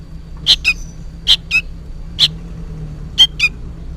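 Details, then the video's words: Juvenile sooty-headed bulbul begging, as if calling for its parent: four or five paired, sharp chips about a second apart, the second note lower, over quiet hum. "suara burung kutilang anakan gacor ribut seperti memanggil induknya"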